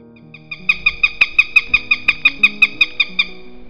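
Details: Eurasian sparrowhawk calling: a fast series of about fifteen sharp, harsh, evenly spaced kek notes, roughly six per second, over soft background music with low sustained tones.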